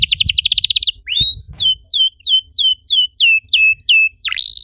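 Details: Canary singing as a lure to prompt other canaries into song: a fast buzzy trill, then a steady run of about eight downward-slurred whistles roughly twice per second, ending in a dipping note.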